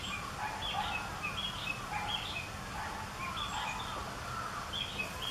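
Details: Male Narcissus Flycatcher, a summer visitor, singing loudly during spring migration in 2014: short whistled phrases repeating, some notes high and some low, against steady low background noise.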